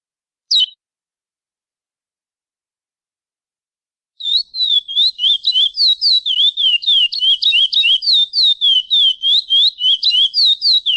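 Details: Chestnut-bellied seed finch delivering praia clássico song with pialadas: a lone high downslurred note, silence of about three seconds, then a rapid sequence of sweet whistled and slurred notes at around three per second.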